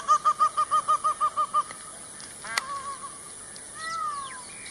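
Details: Indian peafowl calling outdoors: about ten short, nasal, arched notes in quick even succession for nearly two seconds, then a sharp click and a few softer drawn-out cries under a steady high background hiss.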